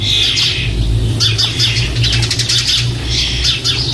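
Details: Starling chicks almost ready to leave their nest box, 4 May 2014, give dense, scratchy begging calls in quick rhythmic pulses, backed by a low droning hum.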